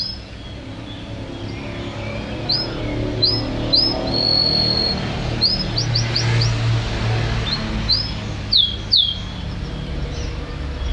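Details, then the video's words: Champion canary giving high, sharply rising chirps in loose groups, some in quick runs of three or four, with one sustained whistle, over a low rumbling background. "Suara Kicauan Burung Kenari Juara"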